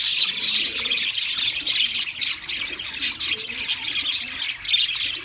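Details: Pet budgerigars singing together in a rolling stream of high-pitched twitters, clicks and squeaky notes, rising and falling in short bursts.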